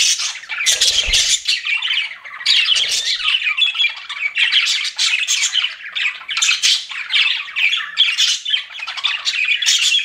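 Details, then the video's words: Pet budgies in a lively chorus of raspy chatter and squeaky chirps lasting throughout, with a couple of brief low thumps near the start. "CUTE PET BUDGIES CHIRPING"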